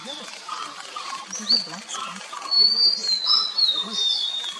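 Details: Nilgiri blue robin, also called white-bellied shortwing, recorded at Kotagiri, Tamil Nadu, India, in February 2023: thin, high whistled notes, some sliding downward, in the second half over a soft murmuring background.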